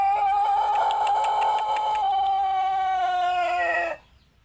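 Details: Pelung chicken crow, Plered line from Purwakarta Regency: a loud, smooth, sustained tone held for about four seconds, slightly wavering at first, dipping gently in pitch near the end before stopping cleanly.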